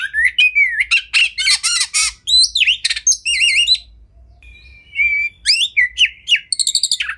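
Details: Kacer, the Oriental magpie-robin, sings tembakan-filled tutoring song: loud buzzy bursts and swooping slurs, a run of wavering whistles, a pause, then rapid repeated trilled notes.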